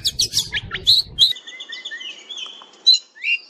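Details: Fighter-style oriental magpie-robin (kacer): quick harsh chirps and rasps that lead into long thin level whistles, then a final rising note.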